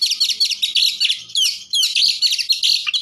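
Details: Oriental magpie-robin (kacer) song of the full-isian style, used to provoke other magpie-robins: an unbroken stream of rapid, high, varied chirps and short sweeping whistles with brief pauses.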